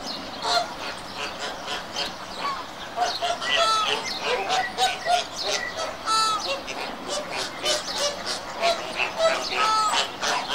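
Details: Flamingos calling as a group: a busy background of honks and chatter, with loud drawn-out nasal honks rising out of it about every three seconds.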